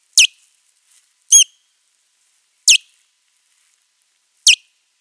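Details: Osprey (Pandion haliaetus) at a Finnish nest-camera site, 19 April 2023, during a territorial fight with a rival: four sharp, high, downslurred whistled alarm notes spaced one to two seconds apart, in otherwise silent surroundings.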